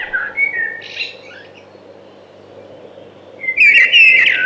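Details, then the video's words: Thrush singing: a soft, faint whistled opening, a quiet pause, then a loud burst of bright, rapid warbled notes near the end. "Beautiful Thrush Singing"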